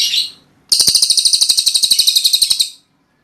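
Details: Cililin in lively 'tembakan' song: a brief high note, a short silence, then a two-second burst of fast, evenly spaced, piercing high notes that ends cleanly.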